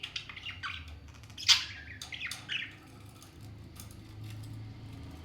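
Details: Two pet talking parrots in a playful fight, giving short harsh squawks and chirps, one loud burst near the middle and a rasping call after it, over a steady low indoor hum.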